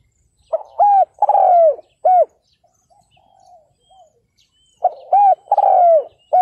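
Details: Spotted dove acting as a ground decoy to lure wild males, 2022. Two loud hoarse cooing phrases with falling final notes; a fainter, more distant dove coos softly in the gap between them.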